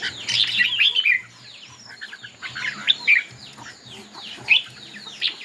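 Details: Red-whiskered bulbul performing in a singing contest, opening with a loud, rich warbled burst, then a string of quicker, fainter chirped notes and a few sharp accents.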